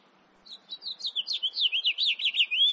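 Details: House finch in 2018 delivering a fast, continuous warble of looping up-and-down notes, about six per second, building in loudness and ending on a drawn-out note.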